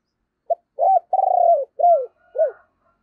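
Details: Spotted dove used as a decoy, calling and cooing to rouse other birds: a quick low note, a rounded coo, then a long vibrating, pulsing coo followed by two shorter downward-curving notes, loud and clean against silence.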